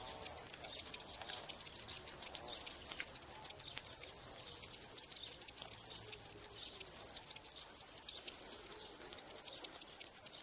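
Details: In spring 2018, a wild European serin at one of the year's early nests sings a very high, rapid, sizzling jingle of tightly packed notes, running almost without pause.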